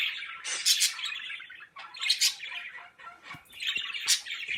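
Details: Pet birds kept at home, giving bright high chirps and squawky twitters in dense bursts around a second apart, with sharp upward-sweeping notes between fuller chattering phrases.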